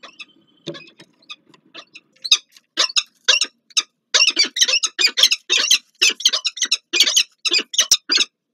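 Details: Peregrine falcon pair meeting at the Palace of Culture and Science, Warsaw, Poland, 30 August 2024: soft scattered clicks give way to a quickening series of loud, harsh, grating notes, several per second, rising in intensity.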